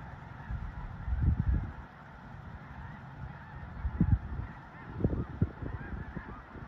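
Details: A vast flock of snow geese on migration at Leigh, Nebraska gives a massed, unbroken honking chorus. Bursts of closer, sharper calls come around the first, fourth and fifth seconds over a low background roar.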